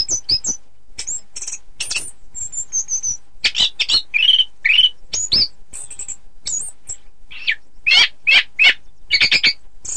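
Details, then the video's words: Varied song of an Orange-headed thrush for song-contest practice: high thin whistles, scratchy notes and short warbled phrases tumbling one after another, ending in loud repeated chirps. "Suara Kicau Burung Anis Kembang"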